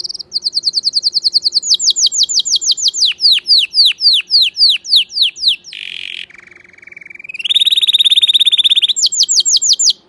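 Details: Canary singing loudly: fast repeated chips at about three per second, then sweeping downslurred notes, a low rolling buzz, and a bright high trill before the chips return.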